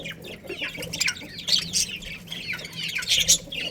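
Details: Budgerigars, a breeding pair in a colony, chirping: a dense, continuous chatter of many overlapping high warbles, squeaks and short buzzy chirps with no pauses.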